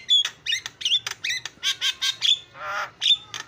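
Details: Javan myna (jalak kebo) singing busily to spur other mynas into song: choppy raspy notes and short whistles, about one per second, with a longer hoarse burst near the end.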